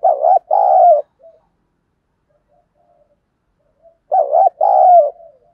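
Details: Lure spotted dove cooing to provoke wild birds, voice style 'giọng thổ': a two-part phrase, short coo then a longer rolling coo, given twice about four seconds apart with quiet pauses between.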